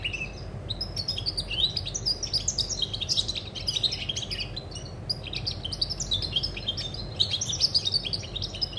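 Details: European goldfinch on 20 August 2020 singing a fast, continuous stream of bright, tinkling twitters and liquid trills, with no pauses, over a low background hum.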